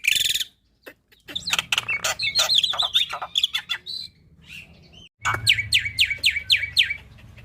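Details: Black-winged myna song, a master recording for young birds to copy, full of filler notes: loud varied chattering, harsh clicks and squeaky whistles, then a steady series of about seven sharp falling whistled notes, with low rumbling background.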